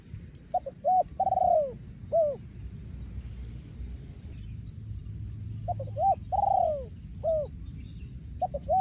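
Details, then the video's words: Breeding male spotted dove delivering 'yon ku ang' style song. Two full phrases several seconds apart, each with short opening coos, a long descending coo and one short final coo, over steady low rumble. "พ่อพันธุ์ 2023 โยนคูอ่าง"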